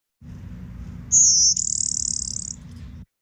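A Blue-winged Warbler gives its two-part song: a thin, high note followed by a longer, lower dry buzz, over a low steady hum.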